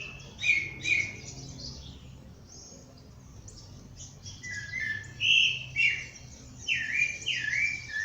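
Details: Dawn birdsong in nature: scattered high chirps and whistles, with a few louder swooping whistled notes in pairs, separated by short quiet gaps.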